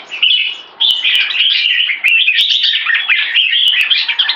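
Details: Competition red-whiskered bulbuls, two caged males matched against each other, one in molt, pour out rapid, overlapping liquid warbles at mid-high pitch, nearly continuous, punctuated by sharp clicks.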